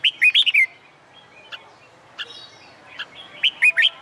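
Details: Red-whiskered bulbul song used to train contest birds on a summer day: quick runs of clear warbled notes at the start and end, with sparse single chirps in between.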